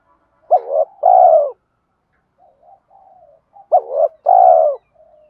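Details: Spotted dove fighting coo used to lure wild doves when trapping: two deep cooing phrases, each a short hooked note then a longer sustained falling coo, with soft low murmuring notes between them.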